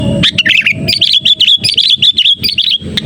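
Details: Sooty-headed bulbul calling persistently, a recording used as a lure for catching bulbuls: bright, bubbly warbled phrases of quick up-and-down notes, repeated almost without pause for three seconds, with faint low rumble beneath.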